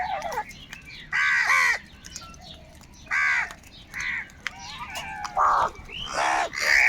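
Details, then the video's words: Crows in a large flock cawing and crying, repeated loud harsh caws from several birds, overlapping and uneven in timing, over continuous background calling. "Kaka sound and noises of Crow birds | Huge numbers of crows crowing and crying sounds"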